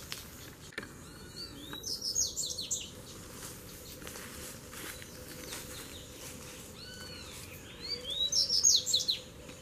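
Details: Three double-collared seedeater males fighting at once; two separate bursts of high scratchy twittering, each preceded by softer downslurred chirps, with clicks, insect-like buzz and a low hum between.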